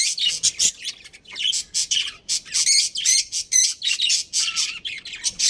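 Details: Budgerigar breeding pair kept in a colony. Continuous high-pitched chirps and short squawky notes come in quick, uneven bursts, several each second, with brief gaps between phrases.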